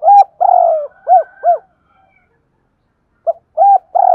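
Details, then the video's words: Paired spotted doves cooing in the '2 hậu' style, two-ending phrases. A loud falling coo is followed by two rounded, evenly spaced short coos, a pause, then a fresh phrase starting with short notes and a long coo. "tiếng cu gáy đôi. tiếng cu gáy 2 hậu"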